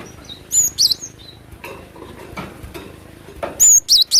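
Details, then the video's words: A cinereous tit singing actively and excitedly delivers two loud bursts of high, ringing slurred whistles, a soft faint note between them. "Glatik batu gacor emosi dengan suara asli alam liar"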